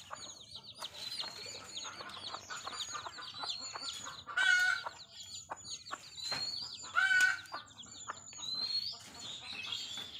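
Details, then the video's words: Mother hen with chicks in a Bangladeshi village: constant thin peeping of many chicks, broken twice by loud harsh squawk-like hen calls about three seconds apart, plus scattered pecking clicks. "Mother Hen With Baby Chicks"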